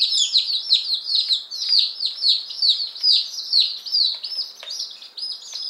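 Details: Fifteen day-old chicks of the rare Appenzeller Spitzhauben and White Crested Blue Polish breeds, delivered May 19, 2015, peep constantly; dense, piercing, downward-sliding notes pour out rapidly, with faint clicks and knocks underneath.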